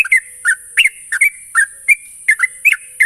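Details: Sooty-headed bulbul lure song aimed at getting a trainee bird singing: rich, gurgling whistled notes in spaced pairs, about three a second, with faint steady hiss.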